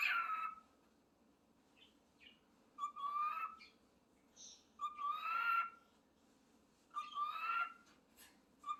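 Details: Pet parrot mimicking a cat and speaking its own name: four separate meow-like whistled calls roughly every two seconds, each a rising then level tone with breathy overtones, and brief soft chirps between them.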